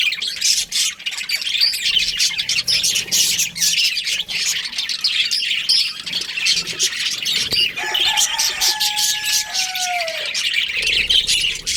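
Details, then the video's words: A breeding pair of budgerigars keeps up a rapid, gritty chatter of chirps and squeaks; past the midpoint a clear, lower whistled note with a slight downward slur stands out. "Budgies Chirping Sounds"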